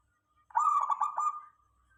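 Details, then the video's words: Local zebra dove, a lure recording meant to make other doves answer: one clean cooing phrase of rapid bubbling notes under a second long, fading into a thin trailing tone, in a quiet background. "Suara perkutut lokal"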